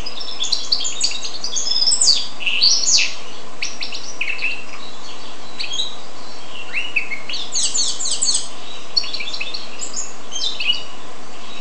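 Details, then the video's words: Continuous twittering song from a goldfinch x canary hybrid: bursts of fast, metallic chirps and slurred notes, a brief gap mid-way, then another lively chattering phrase lasting several seconds before fading. "carduelis carduelis x canaria"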